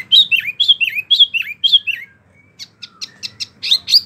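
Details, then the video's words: Kept mini wambi in full rolling 'ngerol' song: five rapid descending whistled slurs in a row, a pause, then a string of short sharp high chirps repeated about twice a second. "Wambi mini gacor ngerolll abis"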